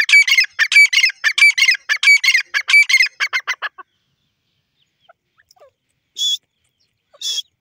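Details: Grey francolin, locally called teetar, calling in a rapid ringing series of harsh repeated notes for about four seconds, then silence broken by two isolated sharp high notes.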